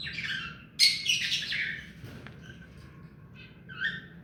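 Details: Hand-tame pet rose-ringed parakeet producing a rapid run of scratchy, high chattering notes, fading to softer squeaks near the end.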